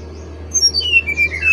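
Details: Brown-chested jungle flycatcher giving one quick run of pure whistles that drops in steps from a high note to a lower, sustained one, over a constant low electrical hum.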